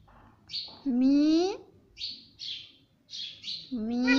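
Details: Talking parrot, a pet mitthu said to repeat mummy and papa: a long, steady, slightly rising voiced syllable, brief breathy high chirps, then a second voiced sound starting at the end.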